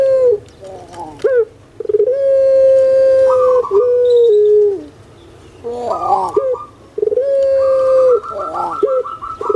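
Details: Kept puter pelung collared dove with a melodious, steady voice: short clipped kuk notes, then two long level coos and a rough gurgling kwok phrase before a further sustained, even note, quiet pauses between.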